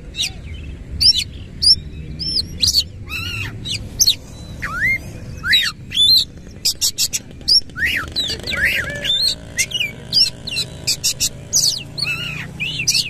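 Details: Energetic white-rumped shama song with coarse material and fanned tail: rapid run of clicks, rising and falling whistles and harsh buzzes, getting denser in the second half with a dense rattling stretch, constant low hum behind.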